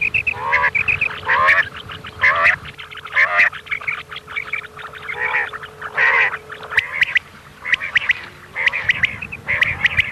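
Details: Common quail (Coturnix coturnix) gives nasal, mewing calls in quick, uneven bursts of two or three notes, about once a second, over a faint steady electronic hum; a recording used as a night-time hunting lure in Pakistan.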